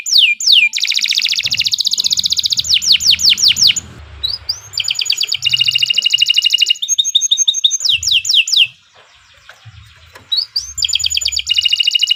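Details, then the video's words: Canary in vigorous song for tutoring birds: long buzzy rattling trills alternate with fast swept whistles, with short quiet breaks and faint low background noise. "Kicau Burung Kenari II GACOR PANJANG Cocok untuk Masteran"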